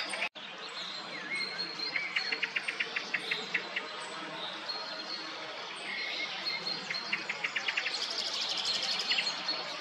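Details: Song thrush subsong: quiet, rambling mix of thin high notes, short repeated ticking phrases and scratchy warbles, with fast trills near the end over a steady hiss of background noise.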